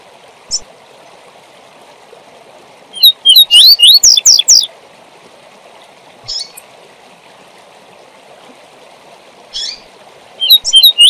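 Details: Double-collared seedeater giving its tui tui zel zel training song for young birds: a fast burst of whistled rising notes and buzzy slurs, a few isolated chips, then the phrase starting again, over a continuous rushing hiss.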